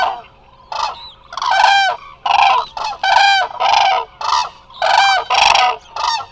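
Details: Live camera sound from Hula Nature Reserve, Israel, where many Eurasian cranes rest: loud, clangorous trumpeting from the flock in near-continuous bursts, about two calls each second, rich in ringing overtones.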